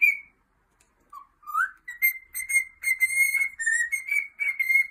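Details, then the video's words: Pet cockatiel singing: clear whistled notes, a low note, then a rising slur into a run of steady, evenly pitched whistles with short breaks, ending in bright repeated phrases. "Adorable Cockatiel Pete's Cute Singing Moments"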